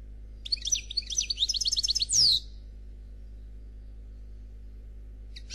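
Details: European goldfinch performing a Noir Khalwi song phrase: quick high chirps and a rapid series of trilled notes ending in a descending whistle, followed by a brief dull thump, then quiet with a faint hum.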